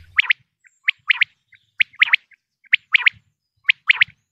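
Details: Common quail from Pakistan, a sound hunters play to attract quail: crisp high notes in groups of two or three, repeated roughly once a second, with faint low thumps in the background.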